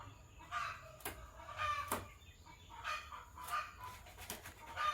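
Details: Caged Sky Blue Opaline and Green Opaline lovebirds in the morning give harsh, buzzy chirps in short bursts about every second, over a steady low background hum.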